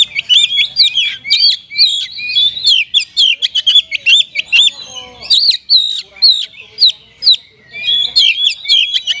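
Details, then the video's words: Kapas tembak-style singing from an oriental magpie-robin: long, lively sequence of loud, clipped whistles and twisting trills, delivered in quick bursts with short pauses, steady volume throughout. "KACER RASA KAPAS TEMBAK ORIGINAL SOUND"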